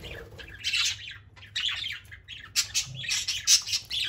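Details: Several playful house parakeets, free-flying indoors and described as loud and social, produce dense overlapping chirps and scratchy squawks in clustered bursts, nearly continuous with short gaps, in a small room.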